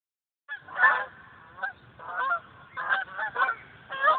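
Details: Huge V formation of geese flying over a hill above a golf course, giving loud nasal honks in irregular bursts, several birds overlapping, about six honking clusters in four seconds.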